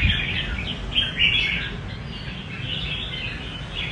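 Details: Red-whiskered bulbul in rê cầu song: bright, bubbling chirped notes and short rolling phrases, loudest early, then softer continuous warbling, with a constant low droning noise underneath.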